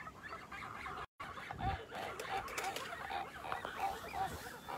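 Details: Kholmogory goose goslings on a farm, recorded 27 May 2020: a run of short, mid-pitched peeping calls repeated several times a second, some with a slight up-down bend, over a steady murmur of rustling and background noise.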